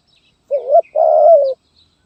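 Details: Zebra dove singing in the Gagap Tindan (Sepatah) song style, recorded 23 January 2022: a short low coo followed by a longer, rolling, level coo that falls slightly at its end, over a quiet background.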